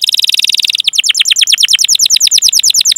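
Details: Canary rolling song meant to prompt other canaries: a tight buzzy trill, then a steady run of repeated sweeping chirps at about five per second.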